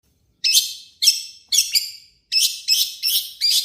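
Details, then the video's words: Long-tailed shrike in full harsh song, played as a lure to make other shrikes sing quickly: seven high, rasping, noisy bursts, each fading quickly, spaced roughly half a second apart, with short silences between. "burung cendet gacor FULL MATERI KASAR buat PANCINGAN CENDET AGAR CEPAT BUNYI"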